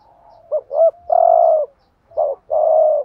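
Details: Urging coo of a spotted dove played as a decoy for other doves: two short clipped notes leading into a long burry coo, a pause, then one short note and another sustained coo.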